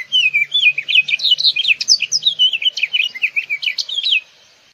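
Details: House finch delivering a long, lively warbled song of quick slurred notes that rise and dip, with buzzy accents, running about four seconds; a soft low hum sits underneath early on.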